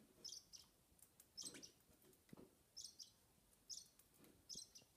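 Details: Six-week-old rosy Bourke's parakeet chick begging to be fed while its father feeds a sibling: soft, high double chirps about once a second, with faint rustling and low thumps.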